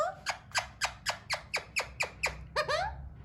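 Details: A hand-tame Alexandrine parakeet trying to talk gives a quick run of about nine harsh, downward-sliding squawks, roughly four per second, ending in two softer, more varied notes.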